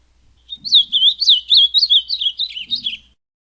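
An ultramarine grosbeak sings a fast, warbled phrase of rising and falling whistles around two and a half seconds long, with a faint low murmur underneath.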